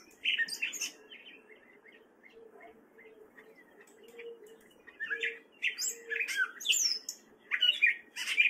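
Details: Male gray catbird in spring song, Fairfield, Iowa: a squeaky phrase at the start, a long quiet stretch with a low hum, then a lively sequence of mixed chirps, mews and scratchy notes.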